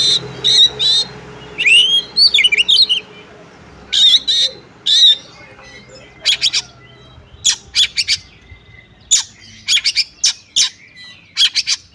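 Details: Female Oriental magpie-robin calling a male, used to get other males to sing. Early twisting whistles and rasps give way to many short, sharp, harsh bursts spaced irregularly through the rest.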